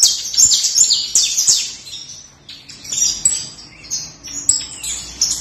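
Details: Canary singing with its trilling song: continuous, very high-pitched rapid trills and rolling warbled phrases that rise and fall in loudness, with short pauses between bursts and no other clear sounds.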